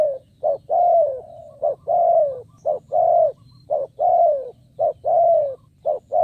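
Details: Spotted dove used as a lure for wild birds, cooing rapidly: about six loud phrases in six seconds, each a short clipped note followed by a longer rounded coo that dips at the end, over faint low hum.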